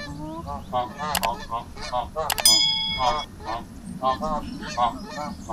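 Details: A gang of geese met while walking a trail, calling loudly together: harsh, nasal honks in quick succession, several each second, overlapping throughout, with a couple of sharp clicks and a brief ringing tone midway.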